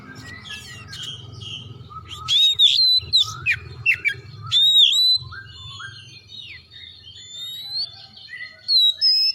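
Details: Oriental magpie-robin in full song, used to prompt other magpie-robins to sing: clear slurred whistles, some rising and falling, in bursts near the middle and end, with a steady low hum beneath.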